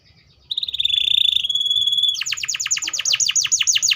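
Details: Canary holding a wavering high whistle for over a second, then switching to a fast sequence of sharp descending sweeps, roughly five per second.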